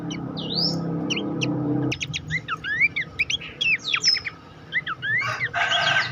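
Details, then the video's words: Horsfield's babbler master song for coaching contest songbirds. Low rumbling noise fills the first two seconds under a single upslurred whistle. Clear separated chirps, rising whistles and short downslurs follow, ending in a burst of buzzy notes. "masteran mewah khas pelanduk semak"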